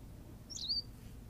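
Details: A single quick, high chirp from a Berthelot's pipit on La Gomera, Canary Islands, a short sliding note over low steady hum.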